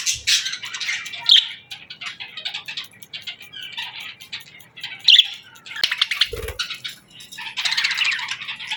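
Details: Parakeet morning chirping: budgerigars in scattered bursts of scratchy warbles and sharp chirps, with a brief low knock partway through.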